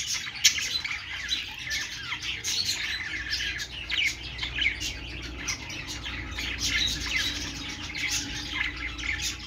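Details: Budgerigars singing on a perch: a continuous busy warble of chirps, squawks and twittering notes, several birds overlapping throughout with a low background hum.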